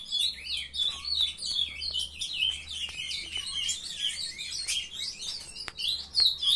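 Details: Morning chorus of captive young Ultramarine grosbeaks. Scattered, irregular chirps and short warbled phrases overlap, with a few soft clicks and a faint low hum in the background.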